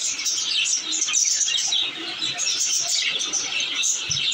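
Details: Several pet budgerigars, said to be happy babies, keep up a busy chorus of high twittering, buzzy warbles and sharp chirps without pause, a faint low thump near the end.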